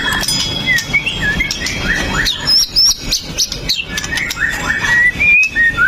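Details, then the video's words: White-rumped shama, a fierce fighter male, singing to provoke other males: varied whistled phrases, slurred notes near the middle and upper range, some high thin whistles, with rustling background noise. "MURAI BATU PASTOL JAHAT BIKIN MURAI LAIN TIDAK BISA DIAM!"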